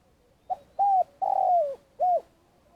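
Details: Spotted dove decoy bird from Vietnam, used as a lure for trapping, giving a long call: a short soft lead-in note, then a mellow coo, a drawn-out falling croo and a final coo, low and hollow in a quiet setting.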